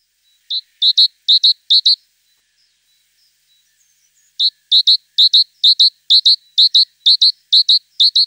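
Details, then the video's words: High, clear, ringing notes from a tit, given in short pairs, four pairs, a pause of over two seconds, then a steady string of pairs through to the end. "Голос Синицы."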